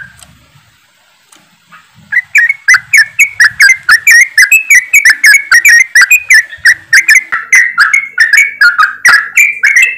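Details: Flock of yellow-vented bulbuls in rapid ropelan chattering, used as a lure to get birds singing quickly: after two quiet seconds, dense bright bubbly notes repeat several times a second, steady and loud to the end.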